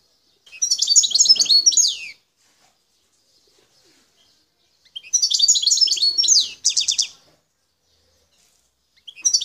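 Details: Wild Algerian goldfinch, locally called parva, from Bouthelja in El Tarf. Dense liquid twittering phrases of rapid tinkling and buzzy notes, each lasting about two seconds, separated by a few seconds of silence.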